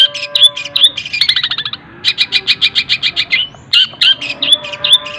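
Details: Cendet (long-tailed shrike) in rapid mimicry song, mixing tengkek buto, sparrow-like greja and kunti phrases: sharp whistled squeaks and fast stuttered chip series at high pitch, with brief pauses between bursts.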